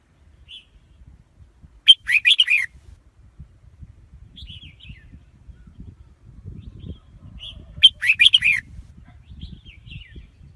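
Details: Red-whiskered bulbul singing as a lure to trap wild birds: two loud, fast, liquid warbled phrases about six seconds apart, each preceded or followed by brief high whistles, with low faint background noise.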